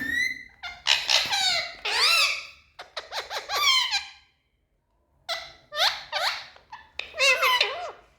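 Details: Happy Indian ringneck parakeets kept in a room, speaking: loud raspy speech-like phrases that rise and fall in pitch, delivered in clustered bursts with a brief silence near the middle, ending in squeaky chattering.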